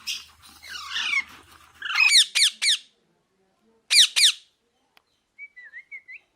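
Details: Pet Mithu parrot giving loud, rasping squawks in quick pairs and triplets, then a short silence and a few soft, wavering whistled notes at the end.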